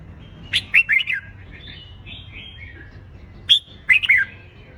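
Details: Red-whiskered bulbul fighting song for training birds to sing: two short bursts of loud, chirpy, warbling notes about three seconds apart, linked by a thin, faint whistled trail, with a low background hum.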